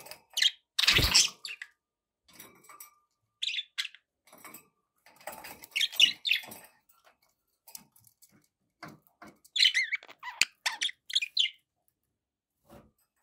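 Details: Budgies giving scattered scratchy chirps and squeaky warbles across a long stretch, opening with a loud broadband thump, then quieter irregular bursts.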